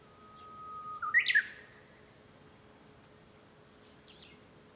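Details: Japanese bush warbler song recorded from inside a home on 5 May 2013: a long flat whistle swelling into a burst of loud, quick rising notes, then faint chirps from other birds over a low steady hum.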